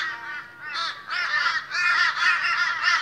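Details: Australian crows gathered in the morning give rough, nasal caws in quick succession, starting softer and growing into a dense, continuous flock chorus.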